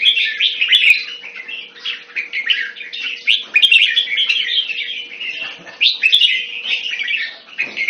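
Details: Kept as a hobby bird, this red-whiskered bulbul (jambul) sings an unbroken series of fast, slurred and chattering phrases, with a soft hum and occasional clicks.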